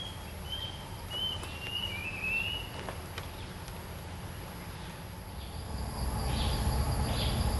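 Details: Short bright whistled phrases from a Red-eyed bulbul, a territory holder at a luring cage, run together early on, then fade into low background rumble with a faint insect hum.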